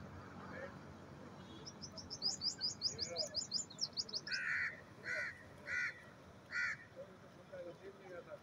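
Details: Grey francolin calling: a quick run of thin, high ticking notes, then four loud, harsh, nasal calls at a steady pace about every 0.7 seconds, over faint background hiss.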